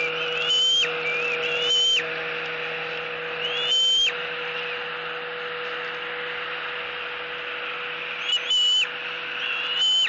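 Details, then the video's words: Eaglet at a Southwest Florida nest squeeing at its mother for food. A few brief, high whistled squeals come in scattered bursts, with long quiet gaps filled by a steady electrical hum. "Screaming E11"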